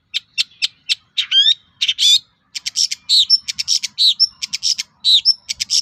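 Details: Long-tailed shrike song used as a lure to provoke other shrikes into answering: rapid varied mix of harsh notes, chattering bursts and sharp whistles, bright and high, delivered in dense runs with short pauses.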